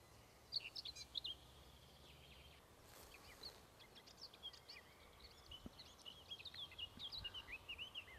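A Eurasian skylark pours out a rapid, high, unbroken twittering and trilling song over a low, steady rumble of wind.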